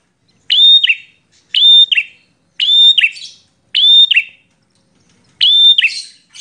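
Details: Combative bar-winged prinia in aggressive song: five separate loud phrases about one second apart, each a clear high whistle with an upturned end and a short buzzy trailing note, with quiet gaps between.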